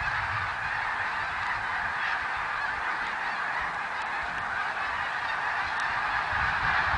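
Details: Thousands of overlapping snow goose honks, recorded in 2014, form a level, unbroken clamour that swells slightly toward the end.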